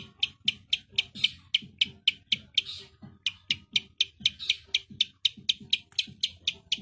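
Long-tailed Shrike firing off harsh, scratchy notes in a steady rapid volley, about four each second, with faint low knocks beneath.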